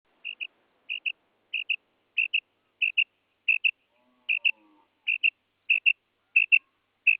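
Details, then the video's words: A female quail gives sharp, high doubled notes, a quick pair about every two-thirds of a second, steady and clear over a quiet background. "Female quail sound"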